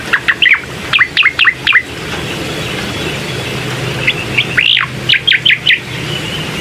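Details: Bar-winged prinia lure song to make a reluctant bird sing: a tight string of doubled high chirps, a quiet gap, then another run of sharp notes with one long downward slur, low rumble beneath.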